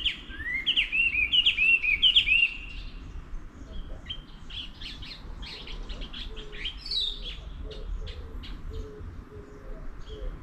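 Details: Wild birds on a morning, 24/05/11: a loud, sweet warbled phrase for two seconds, then scattered sharp ticks, faint chirps and soft low repeated notes in the distance.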